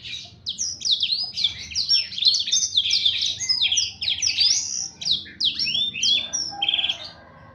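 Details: Blackthroat in full song, pouring out dense, high twittering phrases of clipped whistles and downslurred chirps, nearly continuous, with short gaps between bursts.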